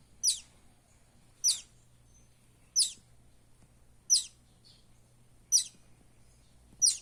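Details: Chick of the buff-banded rail, Philippines, repeating piercing high descending peeps roughly every 1.3 seconds, six calls in a row, each short and thin, against quiet surroundings.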